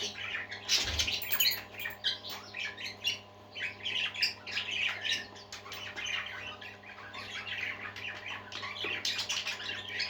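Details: Pet parakeets (budgerigars) singing happily indoors: dense, continuous chattering warble of many squeaky chirps and buzzy notes, with a low steady electrical hum beneath and a brief thump near the start.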